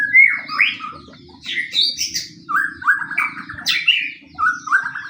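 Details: Fighting pastol white-rumped shama song used as a lure to set other shamas singing: rich, fast-changing whistles, rising slurs and rattling trills packed closely together, with a faint low hum underneath.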